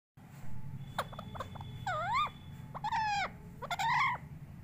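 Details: Pet parrot talking: a run of short harmonic, voice-like syllables, some sliding up and down in pitch, with a louder wavering phrase near the end, over a low steady background hum.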